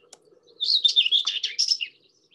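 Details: Common Whitethroat, a summer migrant in Sussex, song: one brief scratchy jumbled warble of about a second, quick high notes tumbling together with no trilling, over a faint low hum.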